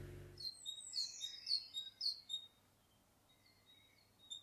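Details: In Ireland, a great tit sings its simple, repetitive "teacher, teacher" song: bright, high notes in quick repeated pairs for about two seconds, then a few fainter notes over a quiet background.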